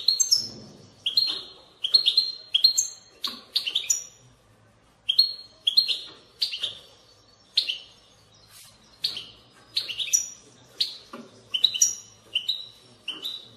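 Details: European goldfinch song in the batbata style, played to stimulate goldfinches to sing: repeated bright bursts, each a high chirp sliding into a sustained ringing note, spaced by short silences over thirteen seconds in a quiet room.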